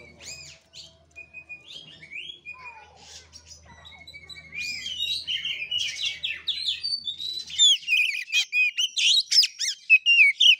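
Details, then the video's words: Oriental magpie-robin fighting-style song, 'gaya kura kura' type, for birdkeepers: soft scattered chirps and thin whistles at first, building into loud, fast, varied whistled phrases and sharp notes toward the end. "KACER NGEPLAY TARUNG|GAYA KURA KURA"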